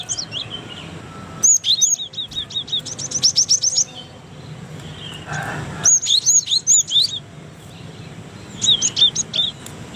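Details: Cinereous tit, Indonesia, used as a training model for other songbirds: rapid series of high thin chirps and whistled notes in three bursts, with quiet gaps and a faint low hum between.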